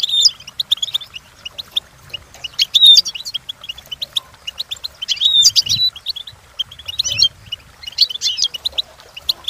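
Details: Training song of a European goldfinch, meant for goldfinches to learn and imitate: scattered clicky twitters broken by louder bursts of liquid whistled notes and a ringing slurred whistle, repeating roughly every two to three seconds.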